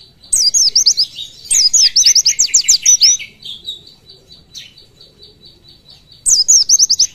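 An oriental white-eye sings three quick bursts of high, twittering notes. Each rapid run lasts about one to two seconds. Faint, steady high pips fill the gaps.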